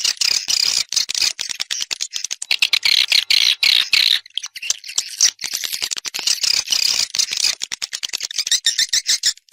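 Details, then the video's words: Swiftlet external sound recording: dense, rapid high chirps and twitters in fast bursts, chattering almost continuously with brief gaps near four seconds, some phrases sounding looped or layered, no other sounds. "Free Swiftlet External Sounds"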